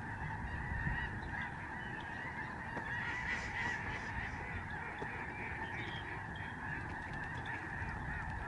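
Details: Flock of snow geese in the sky over the George C. Reifel Migratory Bird Sanctuary, Canada, November 2011. A dense, continuous chorus of overlapping nasal honks and yelps from many birds, with a steady low rumble beneath.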